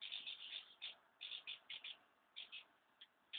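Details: Many house martins preparing to depart from their nesting places chatter in rapid, dense runs of high twittering chirps, clustered in groups with brief gaps, over a faint background hiss.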